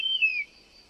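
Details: Call of a European honey buzzard (Pernis apivorus): one brief, clear whistle that slides gently downward and fades within half a second, then near silence with faint background hiss.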